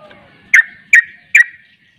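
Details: Sooty-headed bulbul, called trucuk, in the 'ropel' style: three strong, clipped notes about 0.4 seconds apart, with soft background tones beforehand.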